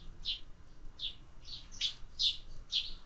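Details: A few loud, quick chirps from sparrows being fed in summer, about two per second, bright and clipped, over quiet low background noise.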